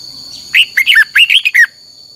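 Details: Red-whiskered bulbul singing a fiery 'căng lửa' style song used as a decoy recording for training other birds: six quick warbled, whistled notes in a bubbly phrase, with a steady high electronic tone in the background.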